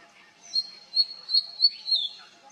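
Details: Oriental magpie-robin singing: a sustained high whistle pulsing about four times, ending in a falling slurred note.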